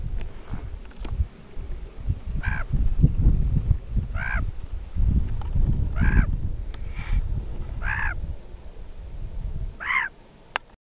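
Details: White-tailed ptarmigan on alpine tundra at about 11,000 ft (3,352 m) in Comanche Peak Wilderness west of Pingree Park, Colorado, July 2008, gives about six short, nasal, mid-pitched calls spaced one to two seconds apart over steady rumbling wind.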